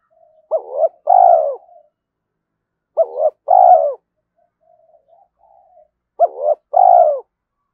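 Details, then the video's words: Spotted dove cooing at dawn to goad rivals into fighting and to lure: three repeated two-part phrases about two and a half seconds apart, a clipped rising note then a long mellow falling coo, with quiet murmurs in the gaps. "Tiếng chim cu gáy thúc đấu và chiêu bổi lúc sáng sớm"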